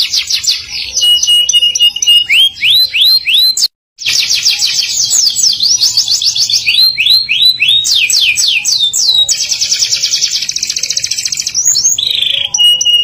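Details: Canary in full, energetic song of the rolling (ngerol) and sharp high-shot (nembak) style: fast repeated sweeping notes, dense buzzy rolls and a long steady trill, broken by a brief silent gap early on.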